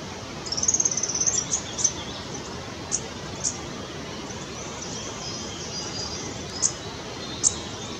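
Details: A Beautiful Sibia feeding on nectar in India calls with a quick run of very high, thin chirps, then single sharp high notes every second or so, over a steady hiss.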